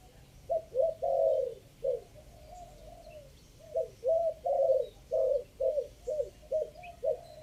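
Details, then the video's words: Spotted dove decoy recording from Chiang Mai, Thailand, three-kuk style, section five: two series of mellow coos, each mixing brief notes with a longer drawn-out one, separated by a pause near the middle. "เสียงต่อนกเขาใหญ่ 3กุ๊ก ท่อน5"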